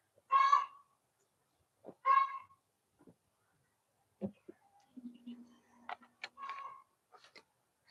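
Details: A neighbour's hen in spring gives two loud, harsh, nasal squawks about two seconds apart, followed by softer clucks and scattered chirps, with a low voice in the background.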